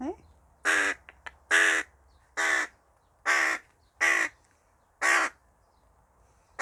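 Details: Tame hooded crow calling noisily while eating: a series of seven harsh, hoarse caws, each about a third of a second long, spaced roughly every 0.8 seconds, with a faint low hum in the background.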